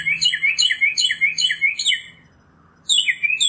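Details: Northern mockingbird pouring out a rapid jumble of short descending whistled notes for about two seconds, then a pause and a new, higher looping phrase.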